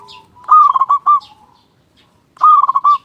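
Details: Local zebra dove in full song with a loud voice, used as a lure so other doves start calling. Two bursts of rapid, bubbling staccato coos, about two seconds apart, follow a soft low coo.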